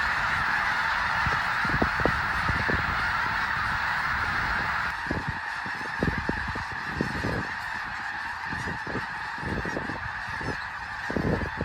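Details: Snow geese in their thousands taking flight together at Bosque del Apache Wildlife Refuge, New Mexico, in winter; a sustained chorus of honking that thins a little midway, punctuated by repeated low knocks and wind-like bumps.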